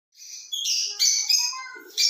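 A grey parrot gives a rapid jumble of harsh, raspy notes and bright whistles, shifting in pitch over about two seconds, with no other sounds.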